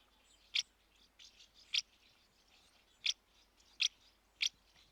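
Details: A common house martin (Delichon urbicum) gives five sharp, dry chirps at uneven intervals of about one second, with fainter twittering between them; call.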